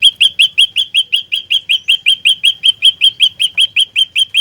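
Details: Olive-backed tailorbird singing nonstop as a trapping lure, 'fighter' style: about twenty-two sharp, high, upward-flicked chirps in one unbroken, rapid and even run, roughly six per second.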